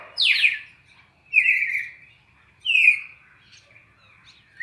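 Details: Captive-training recording of a red-crested cardinal's classic four-note song from Brazil: a steeply falling whistle, then two level, slightly sliding whistles, separated by short silent gaps.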